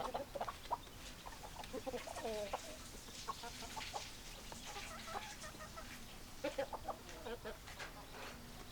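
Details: Several hens clucking, with soft, low, nasal clucks and short murmured notes scattered throughout under a steady hiss of background noise.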